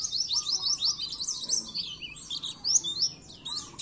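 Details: Oriental white-eye, the pleci, singing a masteran for training caged birds. A dense, continuous high twittering warble of fast chirps and slurred notes carries throughout, with a faint low tone beneath.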